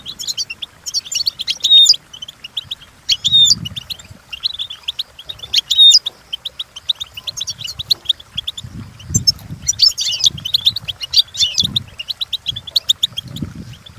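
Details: European goldfinch singing as training material, repeated phrases of fast high chirps with clear whistled notes, plus low rumbling noise in the second half.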